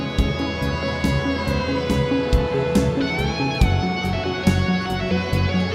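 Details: Guitar music with steady plucked notes and sliding tones; no animal voices.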